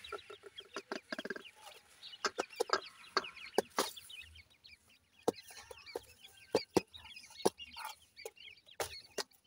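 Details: Grey francolin chicks cheeping steadily while they feed, dense high chirps overlapping, broken by irregular sharp clicks and taps.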